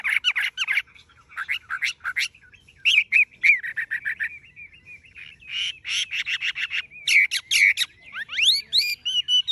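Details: Singing tame Chinese hwamei, its legs, bill and feathers bright yellow, delivering dense bursts of clear whistled notes in quick clusters, short slurred phrases and rising sweeps, in a quiet setting.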